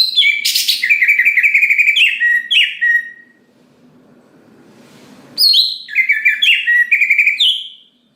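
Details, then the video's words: Gacor greater green leafbird singing to draw other leafbirds into song: dense, rapid chattering whistles with falling slurs, a brief quiet spell, then another fast, rich phrase. "Cucak Ijo Gacor Paling Pintar Memancing Cucak Hijau Lain Agar Cepat Bunyi Gacor"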